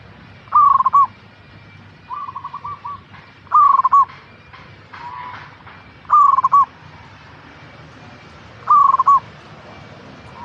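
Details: Local zebra dove song intended to make caged perkutut sing: four crisp phrases of fast, rolling coo notes at steady intervals of about two and a half seconds, with a quieter second dove answering.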